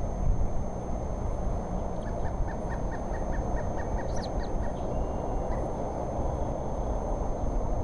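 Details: Young eagle chick, recorded 2 April 2014, cheeping in a quick series of about a dozen brief high peeps, followed by a few sharper upper notes, set against heavy low background rumble and a thin steady hum.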